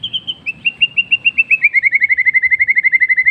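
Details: White-rumped shama singing in the afternoon: a fast, steady trill of short clear notes, about four each second, gliding gently downward in pitch throughout, with faint low rumbling in the background.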